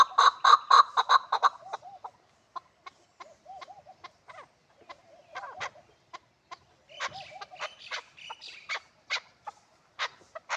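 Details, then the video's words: Hybrid chukar partridge giving a burst of loud rapid chucking notes, followed by softer, scattered clucks and short wavering notes with gaps of quiet between them. "Кабки гибрид"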